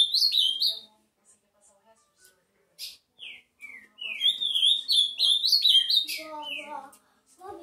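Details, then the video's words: Ultramarine grosbeak delivering several phrases of warbled whistles, some single downslurred notes in between, then a long sweeping phrase of bouncing, rising and falling notes ending in lower tones. "Azulão bike"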